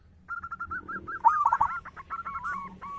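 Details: Local zebra dove in full song, described as having a big, rich voice; a series of low hooting coos, then a louder rolling burst of bubbling notes, and further repeated coos trailing after.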